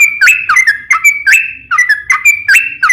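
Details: Yellow-vented bulbul, a gacor trucuk used as a lure to get other trucuk to answer: bright whistled chattering phrases, each a quick rising note followed by a level whistle, repeated about every half second.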